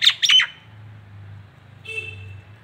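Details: Nias hill myna, a local bird used as a tutor recording: two loud, harsh squawky notes open, then after a pause a steady, even whistled tone with a nasal edge, over a faint low electrical hum indoors.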